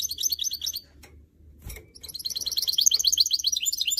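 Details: Canary x goldfinch hybrid (goldfinch mule) being motivated to sing gives a rapid stream of high, tinkling twitters and chirps, with a brief pause mid-phrase before the twittering resumes fast and bright.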